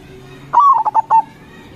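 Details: Local zebra dove cooing, used as a lure for local zebra doves: one short phrase of a drawn-out mellow note followed by three quick, soft coos at even pitch, over a low steady hum.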